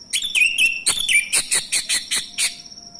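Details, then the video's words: Male orange-headed thrush, captive, sung as a lure to stir silent thrushes into song: about ten rapid, sharp, ringing notes, some with short whistled slides, loud and close, over a steady high insect-like whine. "Hanya hitungan DETIK !!! ANIS MACET langsung bunyi Anis merah jantan"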